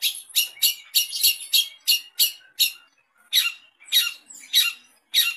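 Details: Long-tailed shrike, used to provoke other shrikes into responding and singing: a series of harsh, scratchy, broadband notes repeated about every half second, with a brief pause before more rasping bursts.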